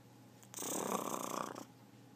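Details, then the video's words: Talking macaw growls, giving one sustained, harsh, throbbing rasp of just over a second, with a hissy upper edge, starting and stopping sharply against a quiet indoor background. "talking macaw growls"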